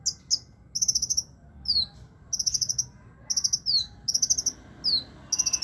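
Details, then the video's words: Placed low in its cage yet still singing energetically, a sunbird repeats shrill, rapid trills and sharp descending whistle notes in short alternating bursts, with faint low noise beneath. "burung kolibri ninja ditaro di bawah juga masih gacor"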